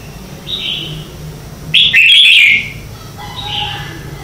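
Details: Red-whiskered bulbul morning contest song used as decoy sounds to spur other bulbuls to sing; a faint whistled phrase, then a loud bubbling warble of jumbled bright notes, and another soft phrase after.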